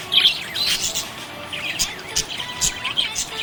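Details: Happy budgerigars chirping: dense, high, scratchy chirps and short warbled notes overlapping in quick bursts, with faint steady tones underneath.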